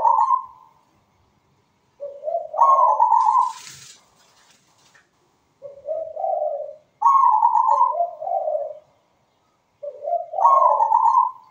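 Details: Zebra dove singing often with a sweet tone: repeated coo phrases every two to three seconds, low purring notes climbing to a clear higher coo, one brief rustle mid-clip, otherwise quiet.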